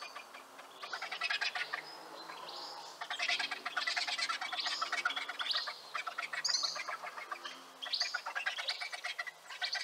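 Griffon vultures give harsh, rasping cackles and hissing chatter in rapid pulsed bursts, coming in overlapping waves through the whole recording.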